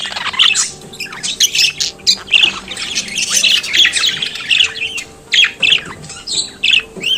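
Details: Pet budgerigar producing continuous chattering song: harsh squawks, thin whistles and fast scratchy warbles overlapping in an unbroken stream.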